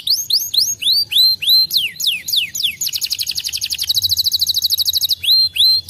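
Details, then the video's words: Singing Gloster canary gives a string of bright rising-and-falling slurred whistles, then a fast rolling trill lasting about two seconds, then more slurred whistles. "gloster noz, além de bonito cantando muito"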